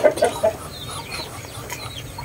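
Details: At Temerloh, Pahang, Malaysia, a Muscovy duck gives three short, soft, low clucking notes in quick succession within half a second, then only faint background murmur and hiss.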